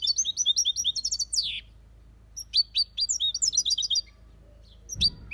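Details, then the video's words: Caged European goldfinch delivering Malaga copy song: quick repeated high chirps ending in a descending buzz, a pause, then another tinkling twittered phrase and a final short chirp over faint low hum. "Goldfinch song/ best chirping of the goldfinch | Jilguero Cantando copia malaga/ chardonneret chante"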